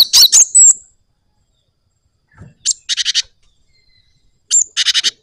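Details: Java sparrow, a gacor singing bird rolling its song: a burst of high clicking notes and a whistled slur, then after a pause two rapid chattering bursts of bell-like chips.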